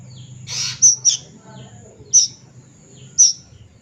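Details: Juvenile plaintive cuckoo, a bird locally held to be mystical, giving sharp, very high, squeaky single notes spaced about a second apart over a low steady hum.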